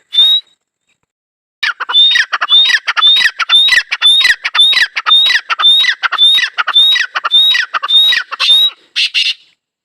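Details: Teetar partridge giving a long, steady calling bout: one isolated note, a pause, then about seven seconds of harsh, rhythmic squawks, each paired with a high piercing whistle, recurring at an even pace.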